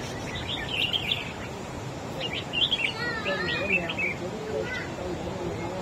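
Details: Wild-caught caged red-whiskered bulbul singing in a duel against another bird, trying to outsing its rival: bursts of short, bright whistled and warbled notes in clusters, over steady background hiss with faint low noise.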